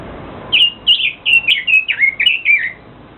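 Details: Chinese hwamei delivering a fast series of clear, ringing whistled notes, each bending downward or rising, roughly ten phrases packed into two seconds against light hiss.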